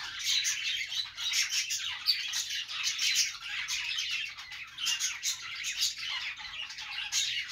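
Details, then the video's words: Perched budgies keep up a steady chattering song of scratchy chirps and squeaks, with louder clusters of notes arriving every second or so. "budgies singing on perch"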